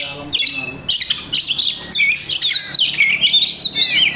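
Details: Kacer, the Oriental magpie-robin, of the songbird hobby, delivering a mimicry-filled song: bursts of high, rapid chattering notes followed by fluid, warbling whistles that rise and fall, separated by short gaps.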